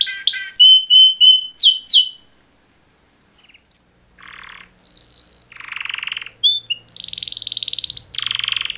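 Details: Two male canaries in mating song: an opening burst of quick whistled slurred notes, a brief near-silence, then harsh buzzy blocks and a long grating trill.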